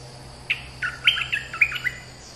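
A flowerpecker gives a quick run of thin, high, sharp chips and twittering notes.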